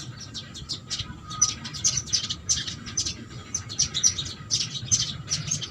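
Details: House sparrows at a feeding spot, many short bright chirps overlapping steadily, a busy flock chattering while feeding, with a faint low hum underneath.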